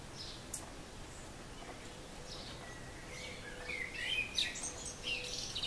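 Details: Great spotted woodpecker adult female and a juvenile at a nest cavity in Üröm, Pest County, Hungary, in June 2014: thin, high squeaky chirps, sparse at first, then a busier run of sharp notes, over steady outdoor hiss.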